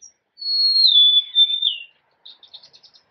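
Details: Golden-crowned sparrow singing a plaintive whistled phrase that glides steadily downward over about a second and a half, followed by a soft, quick twittering trill.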